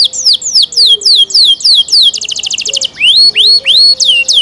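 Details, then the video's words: Canary singing: a run of high down-slurred whistles repeated about three times a second, a brief rapid buzzy trill, then a set of rising upslurred notes. "canary Nice sound"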